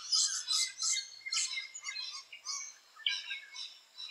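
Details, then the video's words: Rainbow lorikeets around their nesting holes giving rapid, buzzy, shrill chatter, about two to three notes a second, loud at first and then dropping before another burst. "Rainbow Lorikeet Footage 3"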